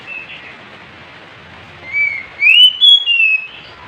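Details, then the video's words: Oriental magpie-robin song: after a quiet start, a loud whistled phrase rises in steps to a high ringing note, then falls slightly, with three or four strong pulses. "JUARA NYA KACER GACOR pasti ikut bunyi Kacer males stress macet bisu langsung gacor"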